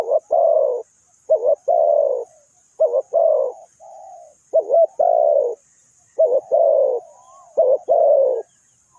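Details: Trap decoy spotted dove calling in deep, hoarse coos, each phrase a doubled short note followed by a long purring note, repeated about five times with one softer smooth hum between.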